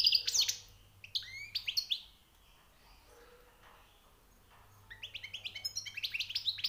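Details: European goldfinch, newly caught, singing: a brief twittering phrase, a silence of about three seconds, then a long run of quick repeated chirps.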